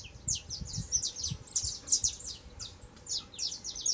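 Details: Young saffron finch singing a lot: dense run of bright, high chirped and twittering notes, rapid and uneven, rising and falling in short bursts throughout, with low rumbling background noise.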